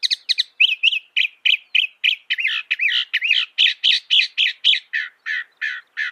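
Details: Loud, rapid song of a northern mockingbird (Mimus polyglottos), over twenty notes in six seconds: brief chips leading into repeated looping whistled phrases, shifting to rougher, buzzier notes near the end.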